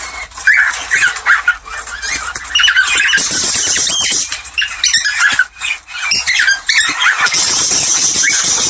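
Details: Budgerigar mating calls, meant to encourage pairs to breed: dense, squawky chatter mixed with short rising whistled warbles and scratchy notes, with several birds overlapping.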